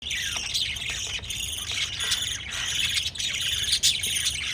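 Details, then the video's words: Pet lovebirds, shown kissing and feeding chicks, give dense high chirps and squawks that overlap without pause, with sharp clicks and short rasping notes scattered throughout. "LOVE BIRDS CHIRPING sounds"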